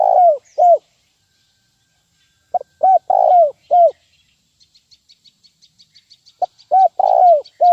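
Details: Spotted dove lure call in 'nguku' style for bird training: deep cooing phrases repeated every few seconds, while a small bird gives a quick series of high, evenly spaced chirps in the background.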